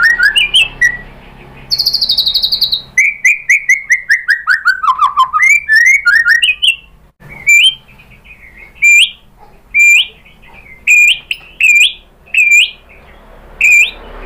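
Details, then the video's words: White-rumped shama song used as a lure to provoke other shamas to sing: loud varied whistled phrases, rising and falling slurs, a high buzzy trill, then spaced sharp upturned whistles repeated about every half second. "MURAI BATU spontan EMOSI NYAUT jadi GACOR"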